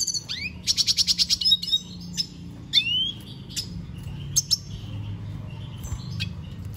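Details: Venezuelan goldfinch singing: a rapid buzzy trill of repeated notes high in pitch, followed by scattered sharp chips and rising slurred whistles over a faint low hum.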